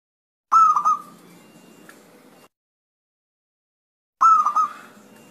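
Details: Male perkutut, or zebra dove, calling to make rival doves reply: a bright warbled coo phrase of a few quick dipping notes, repeated once after about three and a half seconds, with a trailing hiss between.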